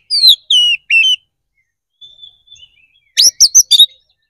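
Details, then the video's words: Energetic fighting song of an Oriental magpie-robin, played to provoke a rival into responding: three loud, clear whistles sliding downward, a pause with faint soft twitters, then a burst of sharp, harsh, buzzy notes. Background is quiet. "KACER GACOR NGEPLONG TARUNG !! PANCINGAN DASAR PALING AMPUH BUAT MENAIKAN EMOSI KACER AUTO RESPON"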